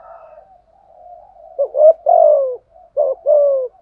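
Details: Decoy cooing of a spotted dove, used to stir wild birds into answering; low soft murmuring leads into two emphatic phrases, each a choppy opening note and a longer mellow coo sliding downward.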